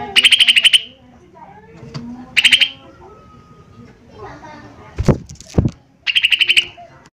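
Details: Cucak ijo mini singing: short rapid trilled bursts with rich harmonics, repeated every couple of seconds, with two low thumps and faint background chatter between them.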